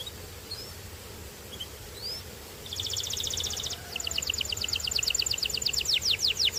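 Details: A few soft chirps over background hiss, then a canary breaks into a fast rolling trill and a long series of accelerating down-slurred whistled notes.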